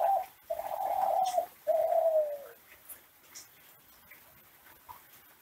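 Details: Captive Kelantan classic ringneck dove from Indonesia singing a training song for other doves: a brief coo, then a long steady hum and a falling drawn-out coo, followed by faint background noises.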